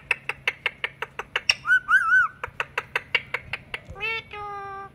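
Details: Female pet Indian ringneck parakeet kept as a talking parrot: a fast series of sharp clicks or chirps, a wavering whistle in the middle, then two drawn-out harmonic squawks, with a faint low hum behind.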